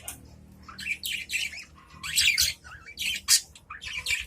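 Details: Caged adult budgerigars calling back and forth in short, separate bursts of squeaky chirps and warbled notes, a little under one burst per second, against a quiet room background.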